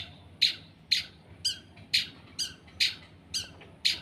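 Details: Long-tailed shrike kept as a cage bird and put out to sun, giving harsh, high, grating squawks, one roughly every half second, each a short broad burst, steady and repetitive.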